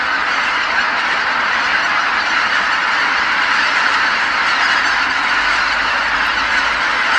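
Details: Massed geese flying back to roost on Kabukuri-numa marsh as night falls after feeding elsewhere, tens of thousands calling together in a steady, unbroken chorus of overlapping honking.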